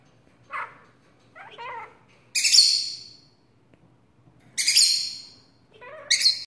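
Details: Pet starling, usually very talkative, starts barking: short rough barking notes alternating with loud harsh rasping bursts, about one every two seconds, in a quiet room.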